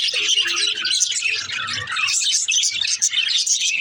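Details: Pet female budgerigars give a steady stream of overlapping high chirps and warbled chatter with no pauses. Faint low sounds sit beneath the bird noise.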